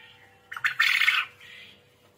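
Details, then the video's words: Quail (burung puyuh, manuk gemek) in full voice gives a few choppy opening notes, then a loud, coarse, buzzing squawk under a second long, trailing into a quieter rasp over a faint constant tone. "Burung Puyuh ( Manuk Gemek ) Gacor"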